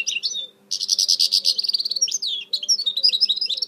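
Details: Goldfinch hybrid (mule) singing a fast, dense run of high twittering and buzzy phrases, with a short pause near the start and rapid trills throughout. A soft, repeated low cooing-like sound runs underneath, alongside a steady electrical hum.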